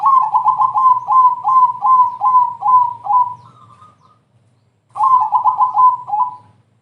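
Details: Crossbred zebra dove in full, busy song, used to lure other doves into singing: rapid runs of soft, rolling coo notes, about six per second, ending in a higher trill, a short pause, then another run with a low background hum.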